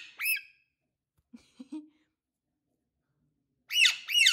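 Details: Alexandrine parakeet, known for talking and laughing, gives a harsh arching squawk, then a few soft low murmured notes, then two loud, strident, rising-falling squawks in quick succession.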